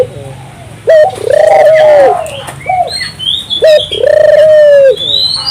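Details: Energetic turtle dove song meant to set local doves singing: a brief clipped coo followed by a drawn-out steady coo, given twice in five seconds, with sharp high chirps of other birds in between.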